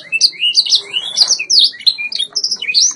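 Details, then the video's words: A white Yorkshire canary in a training recording sings a dense stream of high whistled notes, rolling trills and rising slurs without pause. "White Yorkshire Canary Singing TRAINING CD vol. 2"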